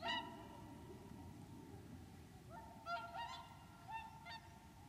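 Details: At Lac du Der in Champagne, France, in late January 2014, wintering whooper swans call. One loud honk opens, then a cluster of rising, trumpet-like notes follows after a pause, with a faint low hum throughout.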